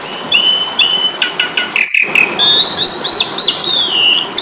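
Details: Asian pied starling in fighting mode, recorded to train songbirds: long level whistles, then rapid repeated notes, then a brief gap followed by wavering high whistles with chips, over steady hiss.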